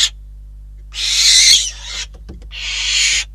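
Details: Two harsh, hissing screeches in close succession from barn owls at a Catalonian nest, 12 December 2021, during prey delivery, with soft knocking and shuffling sounds between them.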